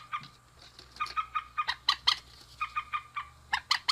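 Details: Male and female rails calling together: irregular runs of short, nasal clucking notes, some sharper and louder, repeated quickly over a faint low hum and light background noise.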